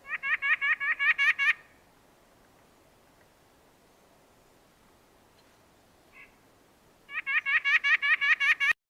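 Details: White-breasted Nuthatch call: two quick runs of nasal, tooting notes in a two-note "meet me" cadence, about eight in under two seconds each, with a quiet pause between.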